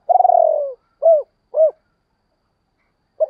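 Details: Spotted dove coo used to lure wild doves: a long, pulsing, gently falling coo, then two short, clear, arched coos about half a second apart, and after a pause a clipped final note.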